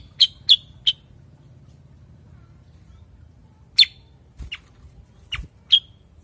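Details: Cucak kurincang, a bulbul also called kuniran or kutilang sutra, giving three quick bright chirps, then a pause, then more scattered sharp notes mixed with soft low knocks.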